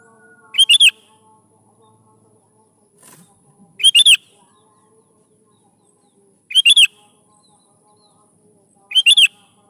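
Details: Lively sooty-headed bulbul, recorded for luring young birds into singing, gives four brief chirpy three-note phrases spaced two to three seconds apart, with a faint soft rustle between them.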